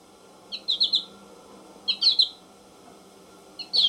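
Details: American goldfinch singing in bursts of quick, high twittering notes, each phrase three or four notes long and separated by about a second of quiet, with faint steady hiss.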